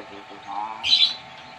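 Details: Talkative young Nias hill myna from the Nias islands, Indonesia, learning to speak. A soft voice-like syllable is followed by a brief harsh, high squawk, then quiet.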